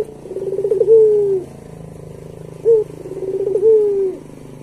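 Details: Pelung-style song of a pet Barbary dove, a recording for training other doves: two softer phrases of a quick rolling trill ending in a falling drawn-out coo, a short sharp coo between them, low hum behind.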